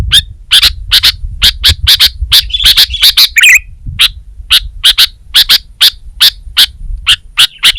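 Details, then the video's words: Steady series of crisp chip notes from a Sooty-headed bulbul, roughly two or three per second, with a short tumbling warbled phrase midway and light low-frequency noise. "Suara Burung Kutilang Gacor"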